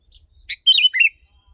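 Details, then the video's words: Sooty-headed bulbul call used to lure wild birds: a single short, sweet phrase with a sharp opening chip, then a rolling whistle that slides downward in two liquid parts. Soft low rumbles sit behind it. "Suara burung kutilang 💯💯% asli.. burung kutilang liar pasti mendekat.."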